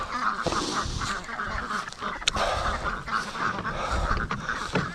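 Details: Free-range ducks on their Sunday morning rush, giving a steady run of raspy, nasal quacks, several birds overlapping in quick bursts, with occasional sharp clicks and rustling in the background.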